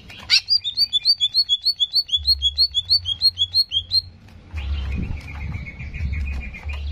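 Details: Greater green leafbird song used to provoke aggression: a rapid, regular string of paired bright whistled notes lasting about four seconds, then a softer, sustained buzzy trill, over a low hum.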